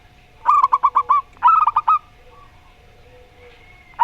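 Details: Two rapid strings of about six punchy coos each from local zebra doves, the Rondo Semoyo style set against a strange-voiced bird, followed by faint soft notes.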